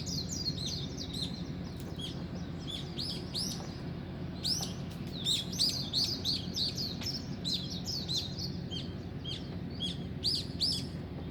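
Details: At daybreak, birds chirp busily in high, sweeping notes, sometimes in clusters and sometimes spaced apart, over a soft low-pitched background rumble.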